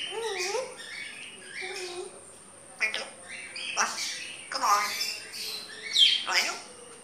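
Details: Grey parrot talking: a string of speech-like syllables with warbling, rising and falling tones, interspersed with short clicks and whistled chirps, a steady high whine in the background.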